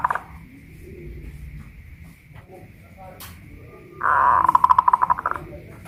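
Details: Zebra dove of the local Pajajaran type, caged and raised on a hoisting pole in Kuningan, West Java: after a quiet stretch with low background noise comes a single loud burst of quick, throbbing coos lasting over a second.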